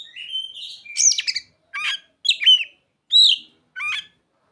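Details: Oriental magpie-robin song with ciblek and sogon mimicry: a gliding whistle, then loud sharp chattering bursts and bright downslurred notes spaced under a second apart.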